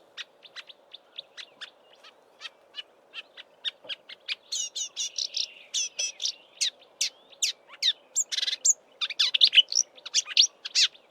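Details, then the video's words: Marsh warbler recorded at close range beside a roadside bush in South Africa's Eastern Cape in March, mimicking local birds before migration: evenly spaced high ticking notes building into a fast, chattering medley of whistles, buzzes and trills. "Marsh Warbler mimicking Southern African birds in March before migrating north"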